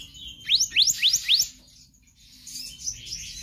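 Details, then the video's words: A magpie-robin, the kehicap ranting, singing in rapid konslet style as a tutor for other birds. Four sharp, bright upslurred whistles come in quick succession, then faint high chatter. "Kehicap Ranting Gacor Konslet Full Fariasi"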